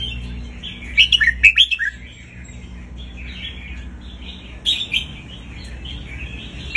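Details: Red-whiskered bulbul singing, played to teach young birds and excite other bulbuls: bright, bubbly whistled phrases in quick bursts, with a second burst after a short pause; faint low hum underneath.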